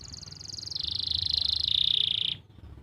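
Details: Canary trill used as master song for stuck or young canaries, recorded in Pati, Central Java: a high, rapid roll that descends in two steps into a bright, buzzing trill before cutting off.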